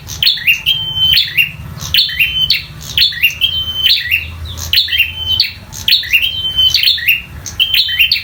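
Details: In fighting mode, a bar-winged prinia sings a continuous string of shrill phrases, each a quick downslurred chirp running into a flat whistle, about one per second.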